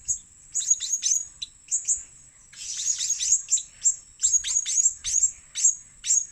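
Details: Very high, sharp squeaky chirps of a blue-crowned hanging parrot used for luring birds, delivered in irregular bursts with a busier twittering patch in the middle.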